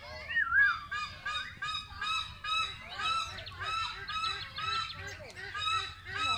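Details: Captive wreathed hornbill at Tamao Mountain Wildlife Rescue Center, Phnom Tamao Zoo, Cambodia: a run of loud, hoarse, honking barks repeated roughly twice a second, with overlapping calls suggesting more than one bird.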